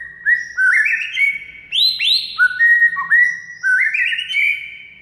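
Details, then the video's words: White-rumped shama song played as masteran for training a quiet bird to sing: a loud, varied run of rich whistled phrases, rising slurs and sharp upward sweeps, with notes tumbling one after another without pause. "DALAM HITUNGAN DETIK MURAI BISU AUTO GACOR DOR DENGAR MASTERAN SATU INI"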